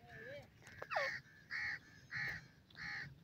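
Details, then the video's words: Female black francolin among her chicks; a falling whistle, then four nasal, harsh notes repeated evenly about every half second, with soft background hum. "female teetar bachon k sath khail rehe ha,francolin female baby playing"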